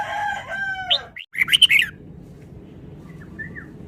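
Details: A rooster-like crow with stacked tones opens, then a caged red-whiskered bulbul, described as singing rapidly, breaks in with a quick cluster of sharp chirps, followed by faint distant notes.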